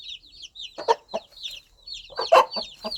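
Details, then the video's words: Mother hen calling her baby chicks in the countryside with soft, rhythmic clucks: low, short bursts in two small clusters, while the chicks' high, thin, downward-sliding peeps run steadily throughout. "Sound of Mother Hen Calling Her Baby Chicks"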